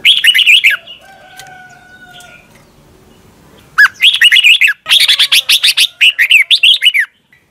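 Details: Red-whiskered bulbul in Thailand, singing in the doubled style used to train caged birds. A short warbled phrase opens, then after a quiet gap comes a longer run of rapid whistled notes in several bursts. Faint steady tones sound in between.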